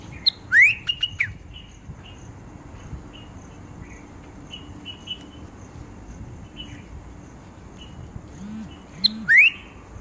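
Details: Bulbul calling: two loud, clear whistles that sweep sharply upward open and close the passage, with softer short chirps scattered between them and a low background hum.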